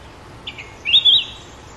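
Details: Sooty-headed bulbul singing a short phrase: two soft introductory chirps followed by a louder, quick, warbling whistled flourish.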